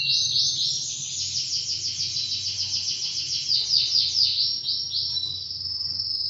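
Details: A 2-year-old half-frill male Spanish Timbrado canary, ready to breed, sings a loud, unbroken run of rapid, high, shifting metallic trills and rolls with a faint low hum behind.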